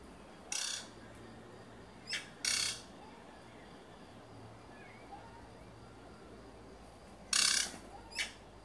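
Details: A pair of black-chested jays courting while building a nest high in a forest tree near cottages, recorded secretly: harsh, rasping broadband bursts, some single and some doubled, over steady background hiss.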